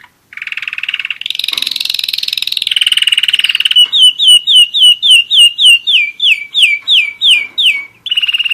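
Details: One-year-old German Roller-split canary singing: a sustained rolling, buzzy trill, then a run of about fourteen clear downward-sliding whistled notes, roughly four per second, ending on another rolling trill.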